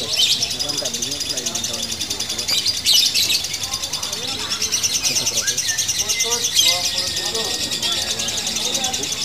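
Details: Locked 'ngunci' song of a female fighter lovebird with short pauses: an unbroken stream of very high, rapid, rattling chirps, with louder bursts near the third and seventh seconds and music below.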